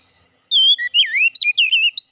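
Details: Oriental magpie-robin, song for restoring a silent magpie-robin's singing: a short, rapid string of bright whistles, first a level note, then a tumbling series of curling slurred notes.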